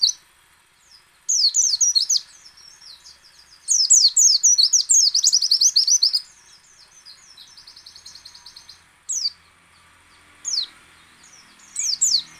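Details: White-eye performing ngecal, ngalas and nembak song, a lure to set other white-eyes singing: loud runs of quick, shrill, descending twitters, softer chattering between runs, and a few isolated sharp notes near the end.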